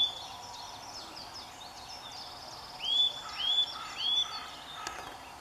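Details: A Eurasian nuthatch singing in full sun in early March gives three loud, rising whistled notes in quick succession, over a soft chorus of distant bird chatter.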